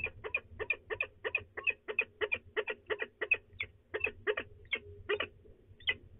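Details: Peregrine falcon female at De Mortel, Netherlands, grumbling before departure on a March 2020 morning; fast run of harsh chattering notes, nearly three per second, slowing and breaking up toward the end, low hum underneath.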